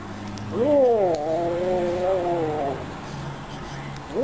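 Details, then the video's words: Talking pet grey parrot (Jako) says a drawn-out, speech-like phrase lasting about two seconds, its voice wavering and human in tone, over a low engine hum. "говорящий Жако"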